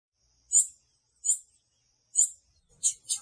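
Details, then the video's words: Female blue-black grassquit calling to excite the male: five sharp, high chirps, spaced irregularly, the last two coming close together, in a quiet room. "FÊMEA DE TIZIU PIANDO E MACHEANDO PARA DEIXAR SEU TIZIU LOUCO"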